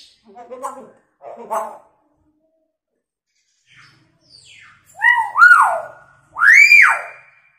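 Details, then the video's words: Hill myna in full voice, used as a lure to get quiet mynas calling: a few speech-like garbled syllables, a pause, then loud tonal whoops that rise and fall like a siren, the last one swooping high and trailing off. "Beo gacor suaranya unik sperti bunyi sirine & teriakan wanita|Pancingan burung beo yg sering diam"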